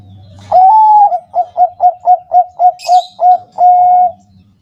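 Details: Zebra dove of the Bangkok type, lure song for caged doves: one long rising coo, then eight short staccato coos at an even, rapid pace, closing on a sustained low hum; a brief high chatter from another bird cuts in midway.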